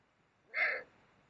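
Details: Harsh, hissing screech lasting a quarter second from a Eurasian eagle-owl during mating, Mosel, Germany, late January 2022.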